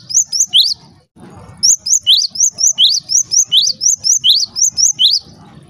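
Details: Java sparrow call used to get other Java sparrows noisy: a few quick high chirps, a short gap, then a long even series of sharp rising chirps repeated several times a second.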